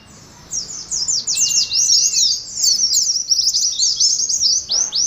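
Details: Oriental white-eye contest song in the 'ngalas' style begins after half a second of quiet, then pours out high, rapid, rattling twitters without pause; one brief flat whistle sounds early on.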